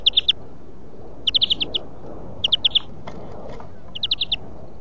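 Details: European greenfinch song recording for song training (huylandırma): four bursts of rapid, even trilled notes, each burst about half a second long, spaced roughly a second apart over a steady low hiss.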